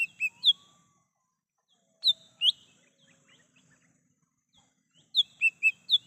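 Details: Lesser green leafbird singing in the wild, its song used as a lure for bird catching: short bursts of two to four sharp, bright whistled notes, loud and clear, separated by pauses of about two seconds, with faint low background hum.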